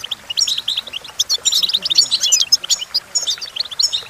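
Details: Goldfinch singing, used to teach other goldfinches to sing: fast liquid twitter of high chirps and jingling trills, dense and continuous, with faint low background sounds underneath.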